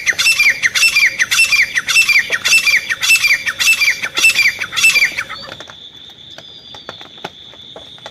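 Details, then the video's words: Desi grey francolin call used as a hunting lure: loud, harsh, squawking notes repeated steadily about every 0.6 seconds, nine in a row, then silence apart from a constant high insect-like hum and faint clicks. "देसी तीतर आवाज। शिकारी तीतर की आवाज।"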